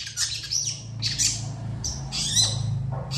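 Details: Long-tailed shrike singing in long emotional bursts, answered by other shrikes: rough screechy notes, some broad and grating, repeated about every half second. A steady low humming lies beneath.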